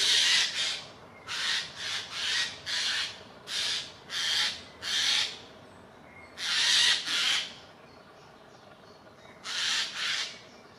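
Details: Eurasian jays mobbing an eagle owl until it flees, Dannenberg (Elbe), Germany, 31 May 2024; a long barrage of about a dozen grating, rasping shrieks, many paired, repeated roughly every half second with brief gaps.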